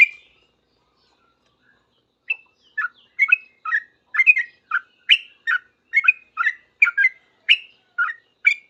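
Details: Yellow-vented bulbul singing hard, answering other bulbuls with rapid, noisy 'ropel' singing: one note, a pause, then quick bubbly two-part chirps rising and falling, about one every half second.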